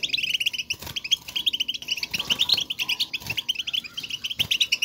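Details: Goldfinch flock calls, given in the wild to call to one another and show where they are, played to encourage a caged bird to sing: fast, continuous, bright chattering twitter with quick high chirps in uneven bursts.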